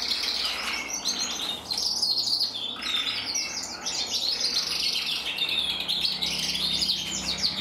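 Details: A 2024 red-black intensive canary cock, split for mosaic, delivers a sustained, dense song of fast buzzy rolls and sharp tweets. A short pause comes near the start before steady rapid trilling resumes to the end.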